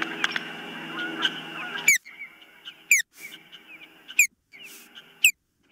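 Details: Ospreys at the nest, filmed by a nest camera on 19 April 2024 around 21:13, as birds come and go. A dense, harsh, harmonic burst opens, then sharp descending high chirps follow roughly once a second with a faint steady background hum.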